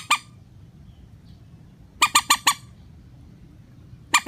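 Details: Rail call used as a lure for net trapping: a single loud nasal note, then a quick run of four, and another note after a pause.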